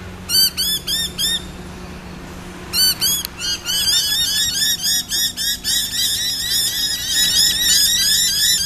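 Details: Noisy miners at Corso reserve, Brisbane, on 29 August 2012, responding to an owl model. They give loud, harsh, repeated chevron-shaped calls about four per second, with bursts, a pause, then a dense overlapping chorus. Low hum underneath.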